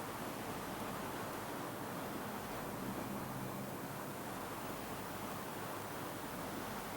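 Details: Steady broadband hiss like wind or distant traffic, with a faint low hum and no animal calls.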